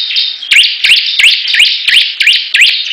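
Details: Bar-winged prinias in a song battle, birds in full vigorous song: a dense, high-pitched twittering wash overlaid by sharp upward-sweeping notes, about seven in three seconds, with short whistled pieces threaded between.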